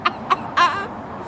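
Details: Pet male Moluccan cockatoo, indoors, giving his trademark joyful 'Bok Bok' clucking greeting: three short, hoarse, clucking bursts in quick succession, the last one longer. People are talking nearby before and after.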